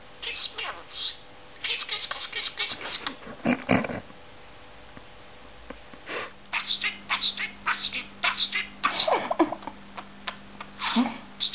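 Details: Foul-mouthed budgerigar chatters in fast, scratchy, speech-like bursts, mimicking human words.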